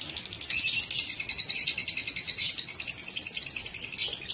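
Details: Lovebirds kept in an aviary cage, recorded 19 September 2023: dense, continuous high chirping and squeaky chatter from several birds, with a busy overlapping flock texture throughout.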